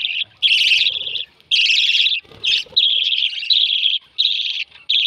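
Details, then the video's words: Lovebird chicks being fed, producing loud buzzy chattering begging notes in bursts of varying length, with low rustling and handling sounds in between. "Feeding with baby Lovebirds"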